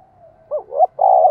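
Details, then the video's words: Decoy spotted dove calling to stir wild birds: the tail of an earlier coo fades, then a short hoot, a rising note and a long full coo, close and clear. "Chim Cu Mồi Thúc Và Gáy Gọi/ tiếng cu gáy mồi chuẩn kích bổi"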